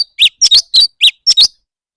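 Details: Leafbird in competitive singing: short sharp chirped notes, some doubled, bright and clipped, delivered in quick bursts about every quarter second, with no other sounds around.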